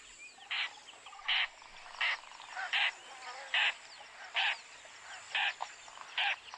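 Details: Lilac-breasted roller calling with a run of nine short, harsh, croaking rasps, each set apart by under a second, over faint steady background hiss.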